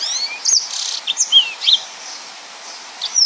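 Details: Yellow-fronted canary giving a short burst of its 'nembak' song, used as a tutor for other birds: a few high sweeping whistles and a harsh buzzy note, then near quiet, then a final whistle.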